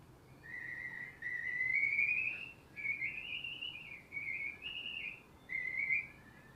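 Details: Slender-billed Curlew, one of a group of three males wintering in Morocco, probably not its main song: a long, slurred, rising whistle, then a run of shorter clear whistled phrases, over a faint steady hiss.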